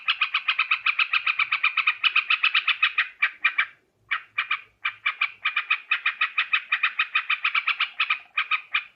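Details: Yellow-vented bulbul (trucukan), from Borneo, in a recording used as a lure for trapping birds: dense, harsh chattering notes in rapid bursts, briefly pausing near four seconds before resuming, with no other sounds.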